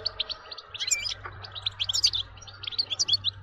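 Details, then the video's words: Lively European goldfinch song for stimulating goldfinches to sing: rapid sequence of high, clipped chirps and liquid twitters, closely spaced, over a steady low hum. "بتبتة نااار يا حبييبي ناااار لتهييج الحسون ستجعله يغرد من دووون انقطاع"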